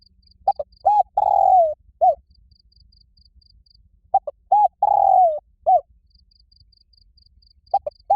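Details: Spotted dove calling very loudly and resonantly to challenge wild doves to fight: two short clipped notes, a long falling coo, then a short note, phrase repeated about every four seconds over a steady high insect ticking.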